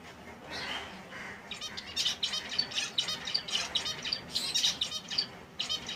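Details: Wild finches of several species in their natural habitat; a couple of soft chirps open, then a loud continuous stretch of high, rapid, rattling trills and sharp tweets.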